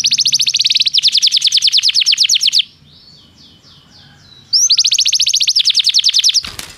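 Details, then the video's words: Canary song intended to get a canary singing: long, very fast buzzy trill for over two seconds, a quiet faint pause, then the rapid trill returns, ending with a short click. "Seu canário não soa? toque imediatamente esta espetacular canção do canário"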